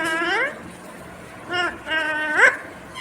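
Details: Talking green ringneck parakeet said to speak "mummy papa": three short, tonal, voice-like syllables with rising, nasal endings, separated by pauses, in a quiet setting.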